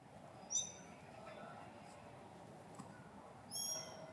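A Siberian stonechat gives two brief, high, thin calls about three seconds apart over a steady background hiss.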